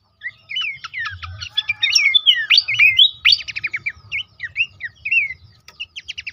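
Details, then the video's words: Song of Horsfield's babbler, played to encourage caged birds to sing: a busy stream of bright whistled slurs, chattering chips and quick trills, loud and continuous, thinning into separate notes near the end. "terapi pancingan dan masteran burung pelanduk semak bikin aktif rajin bunyi"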